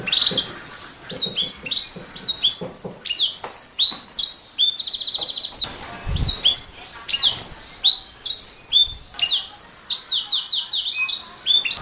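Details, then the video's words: Master-recording canary song for tutoring other songbirds, a long unbroken stream of fast high whistles, sweeping downslurs and rattling buzzy trills, with a brief low thump near the middle. "Suara Burung Kenari | Gacor 17"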